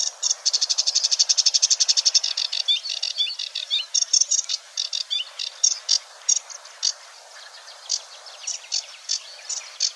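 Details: Finely imitating Sedge Warbler at Wetering West, Wetering, Overijssel, recorded 6–7 May 2022; a rapid dry rattling trill opens, then a varied chatter of sharp notes and short whistles with uneven gaps.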